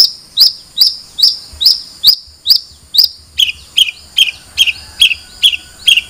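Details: Long-tailed shrike repeating sharp, high chirps at a steady pace, about two per second, fourteen notes in all; the later notes dip slightly lower in pitch.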